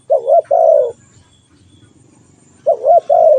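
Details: Spotted dove call heard close: a pair of quick wavering coos then a long falling coo, repeated once after a pause, over a faint low rumble.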